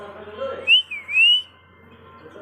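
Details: Pet parrot at home, described as talking, giving a clear whistled phrase: a short high note, a brief pause, then a longer sliding whistle that dips and rises again, about a second in all, over faint low hum.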